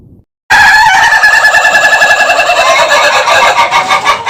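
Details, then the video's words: Ayam Ketawa rooster, the laughing chicken, giving one long, loud crow that starts after a short silence and runs on for four seconds as a rapid, slightly uneven stutter of repeated pulses. "Sound of a Rooster Laughing Compilation (Suara Ayam Ketawa)"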